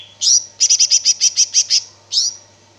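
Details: Greater green leafbird in lively gacor song: one bright sweeping note, then a rapid run of about ten high clipped notes, ending with another sweeping call.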